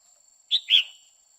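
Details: Female red-whiskered bulbul's 'quých kiu' call, sung to arouse a male: a short bright upper note, a brief pause, then a fuller, slightly lower whistled note.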